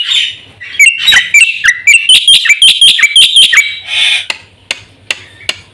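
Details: Captive black-winged myna in full song used to lure and train caged birds: a breathy note, then about a dozen quick, bright, down-slurred chirps, followed by a harsh rasp and a few isolated clicks against a low hum.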